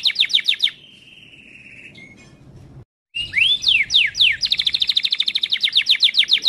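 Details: A Timbrado canary delivers a training song. A fast trill gives way to a long, level whistled tone that fades, then a brief silence. Rising glides follow, and the song ends in a steady rapid trill.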